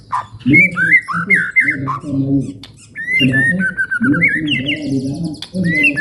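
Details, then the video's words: Ngalun-style long song of a white-rumped shama, sung to stir other birds: varied whistled phrases, slurred downward and upward notes with a trill-like run, broken by pauses while low music rises and falls beneath. "MURAI NGALUN PANJANG | SUARA PEMICU EMOSI BURUNG JUARA"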